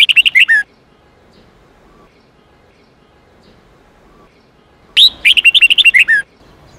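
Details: Red-whiskered bulbul song for training young birds: a rapid warbling phrase, several seconds of near silence, then a longer burst of bright, bouncing notes ending on a lower one.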